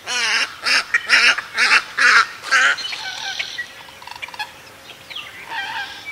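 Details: Tricolored (Louisiana) heron in the Everglades, Florida, USA, giving six harsh, nasal croaks about every half second, then quieter chatter and calls of moorhens and other marsh birds behind.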